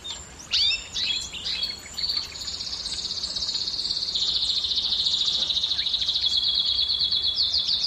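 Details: Canary song aimed at stimulating females to mate: a few separate sharp sweeping notes open, followed by a long, fast, even trill rolling on at high pitch.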